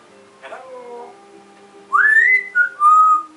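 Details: A pet African grey parrot indoors gives a clear whistled phrase. A rising slurred note leads into a short blip and then a steady, level whistle. Quiet room noise and a brief soft sound come earlier.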